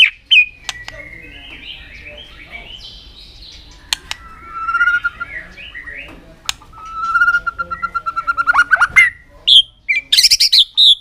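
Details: White-rumped shama, long drawn-out song used as an aggressive tail-flicking display to stimulate other birds: varied whistled phrases near the middle, then a fast run of repeated notes and sharp high upslurred calls at the end.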